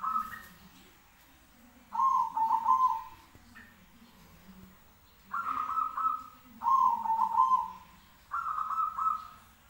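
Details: Zebra doves calling back and forth: five trilled, cooing phrases, each about a second long and falling slightly in pitch, come in uneven bursts with short quiet gaps, over a faint low background hum.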